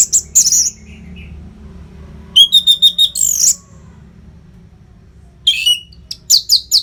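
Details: Orange-headed thrush (anis merah), continuous song played to train fighter birds: brief high phrases, then a loud run of rapidly repeated sharp whistled notes, a pause, and further clipped high bursts.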